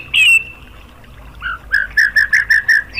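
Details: White-rumped shama singing to goad rival shamas into song: a loud falling whistle, a pause, then a lower slurred note and a series of six short repeated whistled notes.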